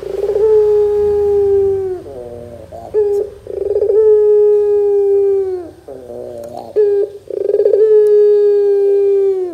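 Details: Chatty Barbary dove used as a lure to make young doves respond: three long, steady coos, each opening with a bubbly stutter and linked by softer rolling trills, repeated every three to four seconds.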